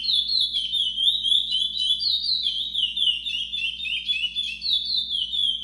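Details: A brown-plumaged chestnut-bellied seed finch delivers a long, unbroken whistled song, the notes rolling in quick rising and falling slurs about four per second, bright and high-pitched, against a quiet background.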